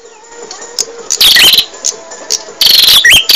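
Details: Bar-winged prinia song used as a training recording for caged birds: loud bursts of rapid buzzy trills with a sharp rising whistled note, separated by quieter gaps.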